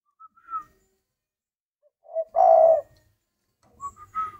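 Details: Spotted dove cooing in captivity: faint whistled notes, a deep, husky coo at mid-clip, then a run of short higher notes.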